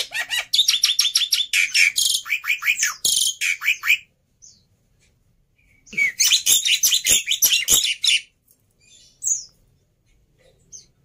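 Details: Agitated fighter black-winged myna, used to train other starlings, bursts into two loud runs of harsh rasping chatter separated by silence, with a few faint short notes between.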